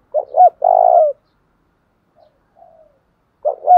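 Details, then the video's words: Coo of a spotted dove in the 'thúc đấu' style, played to train new and decoy birds: a quick double coo into a long sustained note, a pause with faint soft notes, then the phrase begins again. "tieng chim cu gay thuc đấu/ chim cu gáy tập bổi và mồi"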